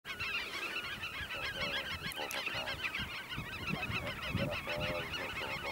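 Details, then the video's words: Black-tailed godwits displaying and mating at Eemnes, Netherlands, on 8 April 2012: dense, overlapping wavering nasal notes repeated rapidly throughout, with lower honking from geese mixed in. "black-tailed godwit display (and mating)"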